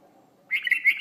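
A red-vented bulbul gives a brief, bright chattering call of rich, slightly burry notes, following a moment of near silence.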